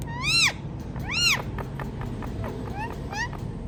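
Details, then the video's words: Ringneck parrot saying "Mithu": two loud arching, nasal syllables early on, then softer, shorter repeats of the same arched note near the end over a low background hum. "Ringneck Parrot Talking Mithu Mithu"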